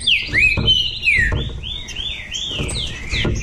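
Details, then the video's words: Bahia saltator in a singing dispute, its sweeping whistled notes tumbling one after another over a steady low rumble of background noise. "Trinca ferro da Bahia disputando"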